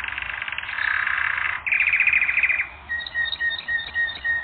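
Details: Canary training song with a loud, dense warbling trill, a brief break, a second rapid rolling tour, then separate clipped whistled notes spaced under half a second apart.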